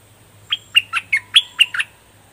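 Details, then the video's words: A neat run of seven clear, descending chirped whistles lasting about 1.3 seconds, sung in doubled style by a fully moulted bulbul known as nok dok taeng. A low steady hum sits underneath. "เสียงนกดอกแตงเจ้าเพชร Ep.8 ขนเต็มแล้ว เบิ้ลล้วนๆ หรอยหนัด!!! Burung merbah lekir"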